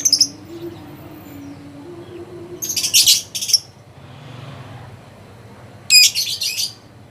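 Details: Contest lovebird that won first place in a President's Cup competition, producing brief high chirps and two clusters of shrill chattering, with quiet murmuring in the background.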